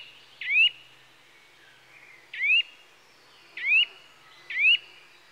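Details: Eurasian nuthatch (Sitta europaea) gives four bright, upslurred whistles at uneven intervals. Each note is short and emphatic, rising quickly to a high, piercing end, over a quiet background.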